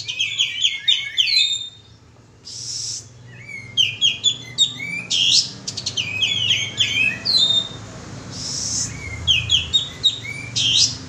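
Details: Lure call of the bulbul known as kapas tembak: several clusters of lively, chattering chirps broken by short gaps and a few brief noisy bursts.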